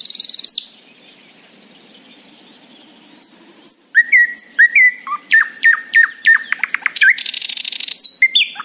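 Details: Morning song of a happy nightingale: a high buzzy opening note, a long silence, then a varied burst of whistles and sharp clicks speeding into a rapid rattle and a final harsh buzzy trill.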